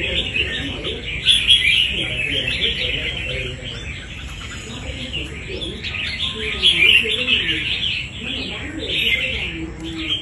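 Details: Wild-caught red-whiskered bulbul, a fighting bird, giving rapid, bright chattering and warbled phrases that run almost without pause, loudest around two and seven seconds. A faint low murmur sits underneath.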